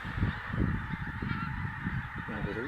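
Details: A huge flock of Pink-footed Geese, estimated at 45,000, keeps up a steady mass of overlapping honks, some clearer nasal calls near the end, over rumbling wind and faint voices.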